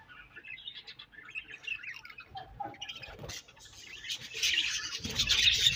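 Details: Morning budgerigar colony, starting softer with scattered warbling chirps and a few brief squeaky notes. The chatter swells into a loud, harsh, squawking burst toward the end.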